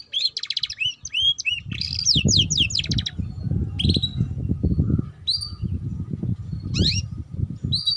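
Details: Canary lure song for juveniles learning to sing: an opening burst of fast rattling trills and curved whistles, then scattered single swooping notes spaced a second or so apart over a steady low rumbling background.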